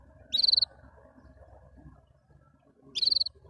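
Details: Canary singing happily, with two short rattling trills about two and a half seconds apart. Each is a rapid string of pulses, heard over soft continuous background rumble.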